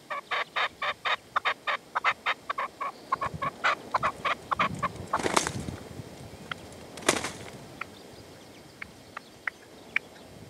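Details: Partridge decoy (reclamo) session at sunset in the open sierra near Manzanares, February 2014; a quick volley of rasping calls, then two bursts of rustling noise and a few thin, isolated notes.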